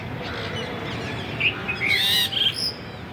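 A bulbul gives a short burst of bubbly, liquid whistled notes, rising and falling quickly over about a second, against a steady hiss of background noise.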